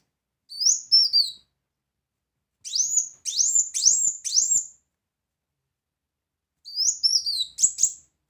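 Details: Brown-throated sunbird in loud 'tembakan' song style for tutoring: quick clusters of piercing high chirps, each sliding up then dropping, delivered in three separate bursts with silent gaps between; no other sounds.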